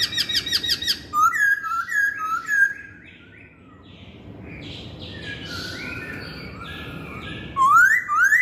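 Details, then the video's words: A masked laughingthrush opens with rapid stacked chattering notes and a chain of short flat whistles. A quieter stretch of softer warbling follows, and the song ends with two loud rising whistles. "Kicauan Poksay Hongkong"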